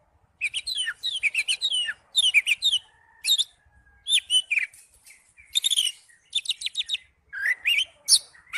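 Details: Kacer, the Oriental magpie-robin, gives a loud ngipas-style song: rapid runs of sharp, high chirps and whistled slurs in clustered phrases, separated by short pauses, with a faint steady tone behind.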